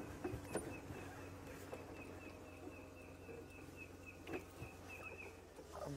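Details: Red-crested Korhaan, an elusive ground bird, at sunset on 29 June 2016 in Sabi Sand, gives a steady series of short, high clicking notes, about three per second, over a low engine rumble.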